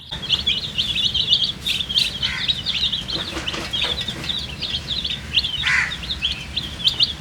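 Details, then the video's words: Colourful baby chickens, thirsty for drinking water, give a dense stream of high, thin peeps, many overlapping and quickly repeated, with a few louder rising cheeps. "MURGI chicks Chirping sounds with thirst for drink water"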